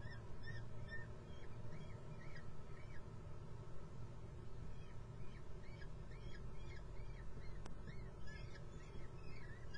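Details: Common kestrel chicks in the nest at Muttenz begging, giving series of short, arched, whining calls in quick bursts, pausing and resuming, over a steady low rumble.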